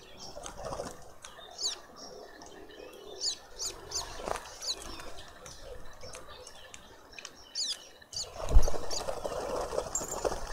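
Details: Red-billed quelea visiting a feeder in a suburban garden in Pretoria, South Africa, giving short, high chirps scattered through the clip, with soft wing flutters and a dull knock near the end.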